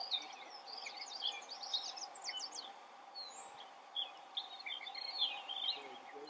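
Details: Gray catbird perched in the open, singing a jumbled string of short squeaky, scratchy and whistled phrases with brief pauses, some notes sliding sharply; a constant faint hum underneath.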